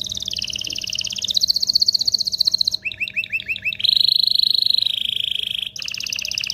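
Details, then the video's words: Canary song to ready males and females for breeding: a wavering high rolling trill, a brief bout of repeated rising chirps near three seconds, then a lower steady trill and a return to a high rattle. "تغريد طائر الكناري هائج , لتجهيز الاناث و الذكور للتزاوج والغناء"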